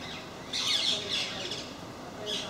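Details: Parakeets from a group that regularly visits MK park: one long harsh screech lasting about half a second, followed by fainter rasping notes and a final short squawk.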